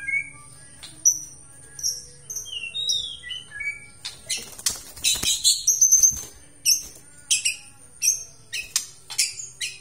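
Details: Aceh white-rumped shama singing energetically: soft varied whistled notes, then a dense burst of clicks and rattling sounds, followed by repeated high sharp notes.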